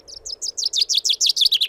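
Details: A Common Chaffinch sings a quick run of about a dozen bright, slurred notes, a trill that grows louder and faster and ends in a flourish, over a faint low hum.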